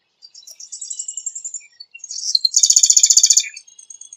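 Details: Marsh wren song: a thin high whistled line, then a few ticking notes leading into a rapid, buzzy, mechanical rattle of fast-repeated notes lasting about a second.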